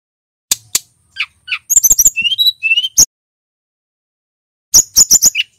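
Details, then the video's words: Male Brown-chested Jungle Flycatcher singing: scattered high chirps, a quick run of clicky notes and short whistles, a two-second pause, then a fast burst of high notes. "Burung SRDC Jantan GACOR"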